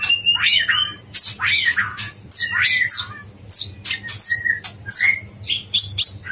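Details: Yellow-vented bulbul in a songbird training recording, dacok blorok style: harsh chattering phrases with steep falling and rising sweeps, repeated about once a second, interspersed with sharp high chirps.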